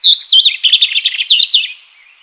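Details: European robin in the wild giving a quick, high-pitched, liquid warble of tumbling notes lasting under two seconds, then fading out. No other sounds.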